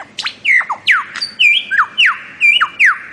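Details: Bird-of-paradise repeating loud clear whistles that drop steeply in pitch, about seven in three seconds, with faint higher notes between them.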